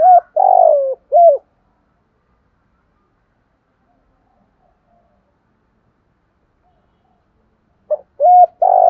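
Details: Spotted dove in the fast 'kích bổi' voice: the end of a cooing phrase with a long falling coo and a level note, a long silence, then the next phrase beginning.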